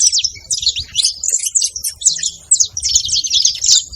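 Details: Saffron finches, a female and a male together, calling and singing: a dense run of sharp, high chirps and quick twittering notes in rapid bursts with brief pauses.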